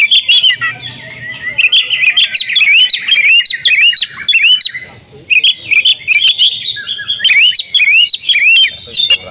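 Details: Kept female oriental magpie-robin in vigorous song full of borrowed phrases, delivering dense runs of clear whistles, rising slurs and high ticking notes in bursts, with a brief quieter pause midway.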